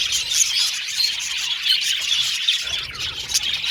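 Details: Flock of cute budgies twittering cheerfully, constant high chattering with clear short whistles and squeaky chirps, the chorus easing slightly toward the end.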